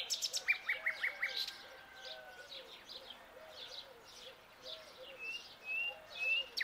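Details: At dawn a young common nightingale sings a burst of sharp repeated notes, then a long thin drawn-out whistle, softer chattering phrases, and finally high rising whistles, over faint low soft notes in the background.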